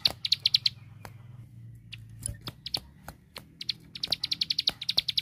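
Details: Ciblek sawah prinia in a 'tembakan' training song for caged birds: short bursts of high chipping notes at the start and end, a quieter gap between them filled with scattered clicks and a low hum.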